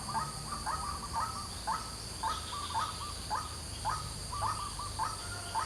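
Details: White-breasted waterhen at dawn hours, giving harsh repeated notes at a steady pace of about two per second, with a high, unbroken insect buzz in the background.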